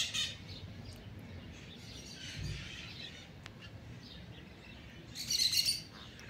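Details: Free-flying pair of blue-winged macaws (Primolius maracana), billing and feeding on pitanga fruit in a fruit tree, give harsh, scratchy squawks, one brief burst at the start and a louder, grating run near the end, over a low rural background.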